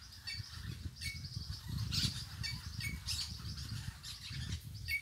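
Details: Parakeets on a rural smallholding in Mirandiba, Pernambuco, Brazil, giving harsh, scratchy screeches in short bursts about once a second over a steady low rumble of wind.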